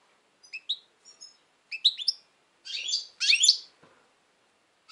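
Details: European goldfinch, noted as very tense lately, singing a loose string of thin, tinkling notes that build into two longer, scratchy, buzzy bursts.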